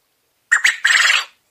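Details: Domestic Coturnix quail crowing: two short harsh bursts followed by a longer, buzzy rasping phrase, the whole call lasting under a second in a quiet setting.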